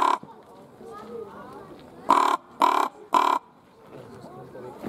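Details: At Schönbrunn Zoo in February 2020, a captive common raven gives three rough, grating caws in a tight row midway through, with quiet background noise and murmuring between calls; Panasonic HC-V270 recording.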